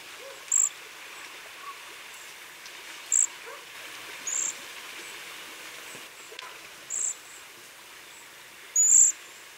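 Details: Cedar Waxwing, a winter backyard bird of eastern North America, gives five thin, very high, buzzy trilled notes, spaced irregularly a second or two apart, over a faint outdoor hiss.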